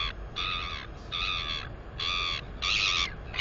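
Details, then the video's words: Squealing northern royal albatross chick, female, 218 days old, at the nest doing wing exercises: four or five steady, harmonic squeals, each about half a second long, repeated at fairly regular intervals. "Royal Cam Albatross ~ Cutie Pie Atawhai At The Cam Again! Wingercising & Wheeing Away!"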